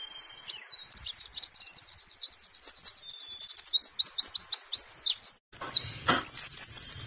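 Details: Pleci (warbling white-eye) 'nembak' tutor song for morning training, a steady accelerating series of high slurred chirps ending in a bright, strained high warble with a brief click.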